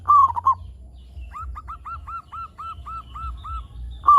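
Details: Local zebra dove song meant to set other zebra doves calling: a short burst of fast coos, then a long even row of ten hooked upslurred notes, another coo burst at the end, low rumble behind.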